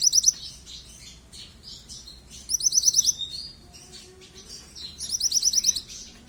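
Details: A young yellow mantenan keeps calling, giving three runs of fast, high-pitched chirps about two and a half seconds apart, with faint warbling notes and a low hum in between.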